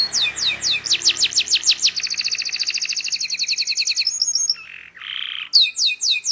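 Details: Canary song played to teach young canaries to sing: fast trills of sharp descending whistled notes, about three per second, shift into a rapid buzzy rattle, then a brief pure whistle and a harsh burst before the trills resume.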